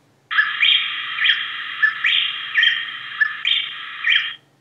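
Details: Female plain-tailed wren (Pheugopedius euophrys) of the Andes sings her half of the pair's duet alone: loud, rich, ringing syllables about every half second, with short gaps where the male's notes normally go.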